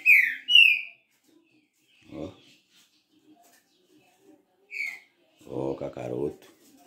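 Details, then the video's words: Captive green-winged saltator, described as a 'galador' trinca-ferro, gives two loud descending whistled notes at the start. A man talks over the later half, with faint rustling between. "TRINCA FERRO galador"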